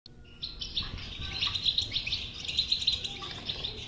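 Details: European goldfinch song (batbata style) played to stimulate a silent goldfinch to sing: dense, continuous high twittering and tinkling notes with fast chattering runs, faint low rumble underneath.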